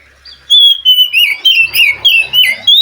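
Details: Wild white-rumped shama from the forest, answering a captive bird reluctant to sing: a long clear whistle, then loud, rich, slurred phrases rising and falling, with faint low background noise.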